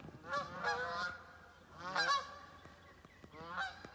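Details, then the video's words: Three adult Canada geese, probably squabbling, honk in three loud, harsh bursts of nasal two-note honks over four seconds at a New Hampshire beaver swamp on 18 June 2020, over a quiet background hum. "3 Canada geese, 3 adults, never a good sign. There's probably a little bit of a squabble going on."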